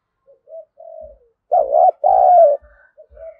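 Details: Decoy spotted dove provoking wild birds to fight; soft low coos lead into a loud two-part coo with a long second note, faint low thumps underneath.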